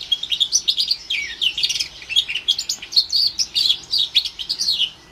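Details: Fast twittering warble from a young orange/brown house finch mule, a cross with a Timbrado canary, about four months old; high notes run together in quick succession.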